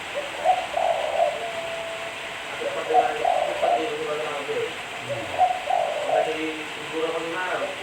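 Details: Spotted dove song used as a lure, with three separate cooing phrases spaced a few seconds apart. Each is a soft, throaty series of low hoots. A brief low thud comes near the end.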